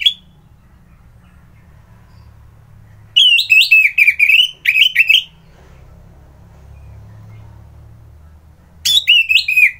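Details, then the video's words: A captive orange-headed thrush sings in loud bursts of varied, high, rich whistled and slurred phrases, with pauses of several seconds between bursts, over a low background hum. "Merdu Kicauan ANIS MERAH Gacor"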